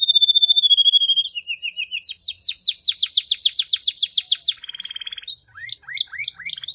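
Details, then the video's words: Canary song opening with a long steady whistle, shifting into fast rolling trills of repeated notes, a buzzy tremolo passage, then a few rising slurred notes. "The most Unique and Beautiful Canary Singing"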